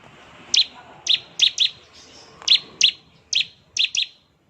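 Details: Bar-winged prinia giving sparse ngebren notes: single or paired sharp high chirps spaced roughly half a second apart, over a soft hissing background.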